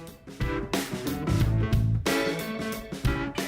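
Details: Plucked guitar music with a steady rhythm and low bass notes, with no animal sounds.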